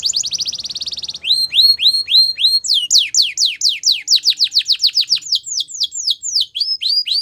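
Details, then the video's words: Female Belgian canary in morning song. A rapid buzzy trill leads into a string of rising hooked notes, then long series of loud, steeply falling whistled notes repeated several times a second. "Canary Female Singing | Belgian Canary Singing In The Morning"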